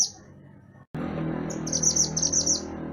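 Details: Actively singing mantenan gunung (pied bushchat), from a tutor recording for songbirds, gives a short run of high, sharp, buzzy notes in a rapid rattling series. It follows a quiet pause, with low rumbling noise underneath.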